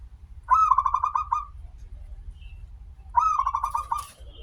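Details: Singing local zebra dove, a bird with a long opening note, used as a lure to prompt other zebra doves to sing: two bubbling coo phrases about 2.5 seconds apart. Each opens with a higher note, then quick pulsed notes.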